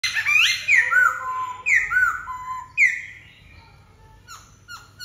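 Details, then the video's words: Black-throated laughingthrush singing loud, clear whistled phrases. Each phrase sweeps sharply down and repeats about once a second, followed by softer, lower notes and brief chips near the end. "Khướu bạc má ...!"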